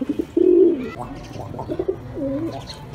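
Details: A single deep, rounded pigeon coo near the start, then quieter murmuring notes and soft shuffling.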